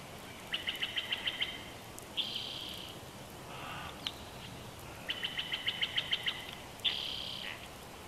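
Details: Chortling female bald eagle on a Big Bear Valley nest camera, June 12, 2021: two rapid strings of high, sharp piping notes, each followed by a short drawn-out squeal, against a quiet hissy background.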